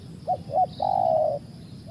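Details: Spotted dove calling: two short, clipped coos followed by one long, steady, drawn-out coo, with a low rural background rumble.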